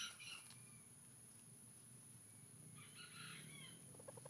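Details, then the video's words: Red junglefowl of the white-legged 'bule' type, a decoy crowing to lure wild junglefowl during trapping; two faint, hoarse harmonic crows at the start and near the end over a steady background hiss. "MIKAT AYAN HUTAN BULE KAKI PUTIH"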